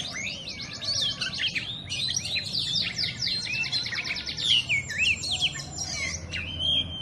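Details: Kacer (oriental magpie-robin) delivering "telerrr konslet" song: rapid buzzy trills and chattering note series mixed with bright rising and falling whistles, continuous for seven seconds over a low background rumble.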